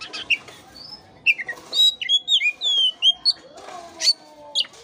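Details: Oriental magpie-robin (kacer) lure song meant to stimulate a lethargic bird: loud, clear whistled notes sliding up and down in varied short phrases, mixed with a few harsh chirps.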